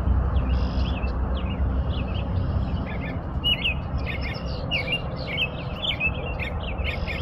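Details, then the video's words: American robin singing a steady run of short whistled, warbling phrases in the upper-middle range, one after another with barely a pause, over a constant low rumble of background noise. "impressionante canto do sabiá-norte-americano"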